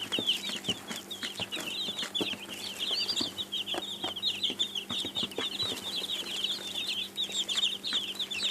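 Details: Baby chicks cheeping in a lively chorus, rapid overlapping high chirps with a few louder notes, over low hum and light clicks.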